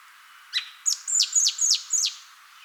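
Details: Song thrush song, the same notes given over and over: one thin upward note, then five high, sharply down-slurred whistles repeated about every quarter second in a steady, even series.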